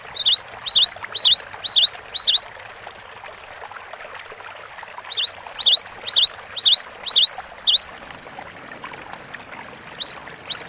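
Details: Vigorous gacor song from a Cinereous tit: crisp, high, rhythmic paired whistles repeated in quick regular series, a silent gap, then another series and a few trailing notes.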